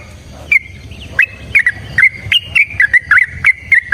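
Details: Fighting song of a yellow-vented bulbul: after a few scattered chirps, a quickening string of sharp whistled notes, clicky at the start, bouncing slightly up and down in pitch.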